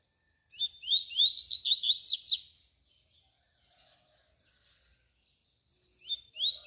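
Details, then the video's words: Double-collared seedeater in canturia song, used to train young birds: a loud two-second phrase of rising whistles and quick descending chirps, a quiet gap with faint low notes, then the next phrase begins. "coleiro canturia bitola para ensinar seus filhotes"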